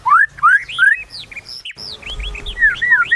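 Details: White-rumped shama, a kept songbird, giving clear rising whistled notes and short upslurred phrases, fairly soft with some background hum.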